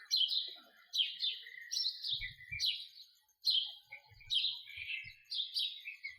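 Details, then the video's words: Repeated house sparrow calls: loud, downward-slurred chirps roughly once a second, some doubled, with a few dull low thumps in the background. "Call of a house sparrow"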